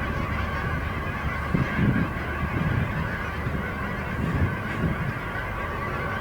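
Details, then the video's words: A massive flock of Canada geese settles in a field before nightfall, some still flying around. Low, hoarse honks overlap in short bursts over a steady background rumble. "Canada Goose Assembly"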